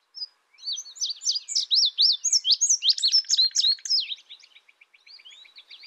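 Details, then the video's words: Indigo bunting song, a long, clear phrase of high swooping notes, many in pairs, tumbling downward and ending in a rapid, buzzy series of short notes that fade away. "Indigo bunting sound | call"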